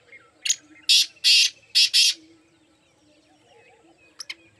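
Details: Black francolin calling, one of four birds together: a short sharp note followed by two long grating harsh notes and a doubled note, then quiet with a faint low hum and a few short clicks near the end.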